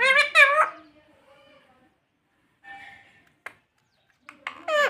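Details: Talking pet parrot producing short speech-like harmonic syllables, a rapid cluster at the start and another at the end, with faint quieter utterances between them in a quiet room.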